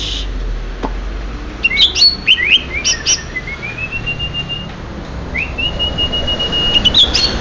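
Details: Greater green leafbird of Banyuwangi origin: scattered sharp chirps and whistles, then long, thin, level whistled notes held for a second or more, with faint low background hum.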